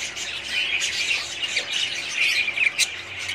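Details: Budgerigars in a breeding colony, 2017, produce a thick mix of high tweets and harsh squawks, a sharp click-like note near the end.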